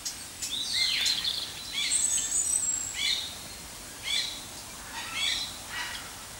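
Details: White-rumped shama singing varied high whistled phrases, including a swooping slurred note and thin high trills, spaced a second or so apart over steady background hiss.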